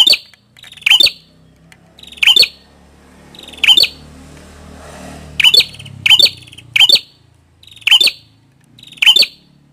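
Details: A prinia called prenjak kepala merah gives loud, sharp, ringing chip notes, singly or in quick pairs, over a steady low background hum and faint noise.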